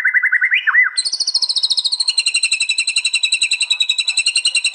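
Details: White-rumped shama at a contest arena in East Java giving its fierce 'tembakan' burst: a brief bubbling low trill with a twisting slur, then a long, even, high buzzing rattle pulsing steadily, recorded on an Android phone.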